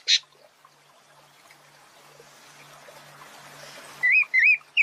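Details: Pale-breasted thrush, described as a frequent complainer, giving sharp calls: one brief harsh note at the start, then after a quiet stretch with faint background murmur, three loud rapid wavering whistled calls near the end.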